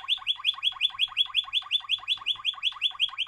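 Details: Waterslager canary song: a fast, even run of rising notes repeated about eight times a second, bubbling and water-like, held steadily throughout.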